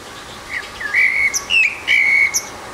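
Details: Eurasian blackbird singing by itself on a rooftop, giving clear, level fluted whistles in a short phrase, each touched with faint high squeaks.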